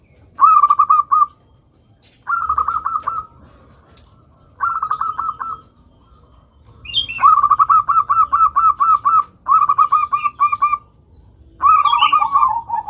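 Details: Zebra dove of local stock repeating bursts of rapid trilled cooing, each phrase about a second long with short pauses between, building to longer runs; faint low rumble beneath.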